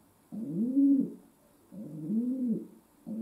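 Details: Two deep, arching coos from a domestic pigeon kept as a pet indoors, each lasting under a second and separated by a brief silence, a light camera hum in the background.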